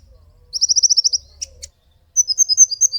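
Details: Olive-backed sunbird song used to train and lure birds; a quick run of high ticking notes, two sharp clicks, then a string of thin, slightly falling whistled notes.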